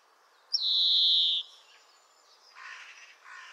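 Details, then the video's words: European greenfinch giving one prolonged, slightly descending buzzy wheeze, followed by two faint raspy twitters. "Canto do Verdilhão (Chloris chloris)"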